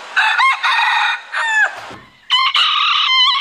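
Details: Rooster crowing in harmonic-rich bursts, a short broken crow followed by a longer strained one, with a brief gap of quiet between them.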